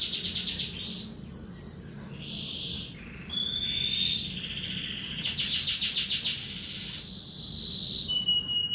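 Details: Morning song of a kenari merlok canary: rapid descending slurred notes repeated in series, buzzy high rolls and a clear whistled tone, delivered continuously with little pause.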